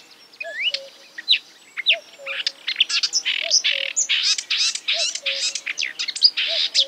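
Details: Marsh warbler imitating other birds with a crowded, scratchy stream of mixed high notes and rising whistles. A deeper two-part call sounds steadily about every one and a half seconds in the background.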